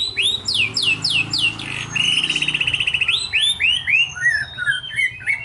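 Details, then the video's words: Magpie-robin delivering 'tembakan sejalur' song: a series of loud downslurred whistles, a fast rattling trill, then more sweeping whistled notes, with steady low background noise throughout. "TEMBAKAN SEJALUR"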